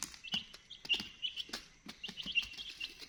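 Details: Chicks chirping: a dense chorus of short, high peeps, several overlapping, with sharp clicking taps underneath.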